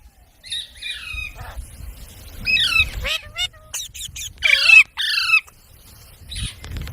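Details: Parrot mimicking human speech: a string of harsh, harmonic squawks and sliding chattered syllables, some falling and some rising, broken by short pauses, with low rumbling noise underneath.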